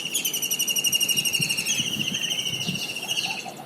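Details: Kingfisher, described as a common Indian diving bird, giving a long, fast, shrill rattling trill held at a steady high pitch for the whole stretch, with slight dips and faint extra chattering notes near the end.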